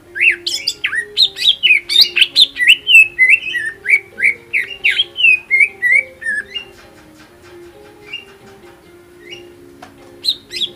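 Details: Greater green leafbird in hyper full-material lure song to goad opposing leafbirds: a loud stream of varied chirps and slurred whistles for about six seconds, fading to scattered quieter notes, with a constant low background drone.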